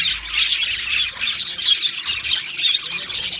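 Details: Chirping from two male Australian budgerigars, a fast jumble of thin squeaks, rasping notes and little whistles, loud and unbroken, swelling in short pulses.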